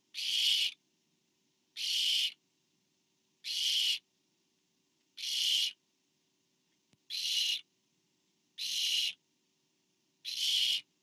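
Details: Barn owl at a nest where a parent delivers food to owlet number four, recorded 24 September 2015 on a nest camera; seven harsh, breathy hissing screeches, each about half a second long, repeated roughly every 1.7 seconds, over near silence.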